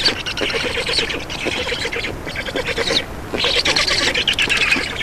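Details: Black stork nestlings at a nest in Estonia during an afternoon feeding on 2 June 2019, 15:43: rasping, wheezy bursts of hoarse calls in rapid chatter, pausing briefly near the third second before resuming more loudly.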